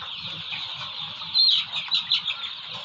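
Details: Golden Misri chicks, 32 days old, in a farm flock, one chick screaming loudly because the chicks are pecking each other: shrill, high peeping cries over a steady chorus of chick cheeps, louder bursts midway, with low rustling below.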